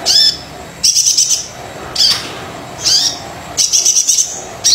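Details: Brown-throated sunbird song played to coax silent sunbirds into singing: sharp high chirps alternating with fast, shimmering trills, phrases about every second.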